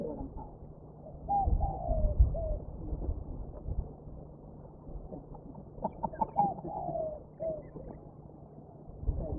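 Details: Spotted dove recorded wild in February 1999 at Hong Kong's Mai Po Nature Reserve, giving two separated phrases of mellow, falling coos over a steady low hum and scattered faint background sounds.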